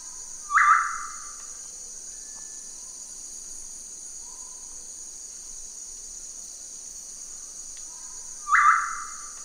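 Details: Black-capped Tinamou (Crypturellus atrocapillus) song: two loud whistled notes about eight seconds apart, over a constant high insect drone.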